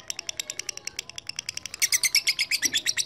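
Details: Lovebird calling to lure a rival into long chattering. Rapid, evenly repeated high chirps, about three a second, then a louder, denser burst of harsh chattering notes in the final second.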